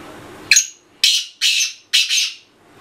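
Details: Black francolin roaming free, giving a loud, harsh, grating call: a single scratchy note, then two rasping notes, then a final doubled note, all within about two seconds. A room-like background hum comes before the call.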